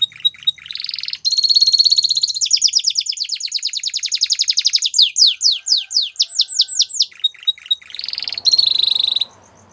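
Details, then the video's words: Male Belgian canary singing a varied phrase: a brief chip and piping start, a long buzzy rolling trill, then a run of descending whistled sweeps, and a sustained rapid rattle at the end. "Canary Sounds Male | Belgian Canary Singing"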